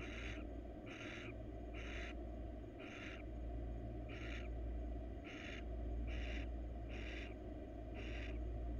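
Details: Wild female barn owl crawling in a nest box while seeking attention utters a run of coarse hissing bursts, loosely regular, with a persistent low drone beneath.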